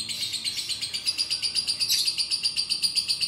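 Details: A lovebird sings to prompt a lazy lovebird into song, giving a steady, shrill, even trill of rapid chattering notes, about four per second, held through the whole stretch.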